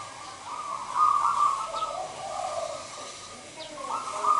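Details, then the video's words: Zebra dove, a local Indonesian perkutut bird in full voice, giving soft rolling coos near one pitch, in bursts that swell and fade over several seconds, with faint high chirps of other birds in the background. "Perkutut lokal gacor Merbok Turtledove Zebra dove."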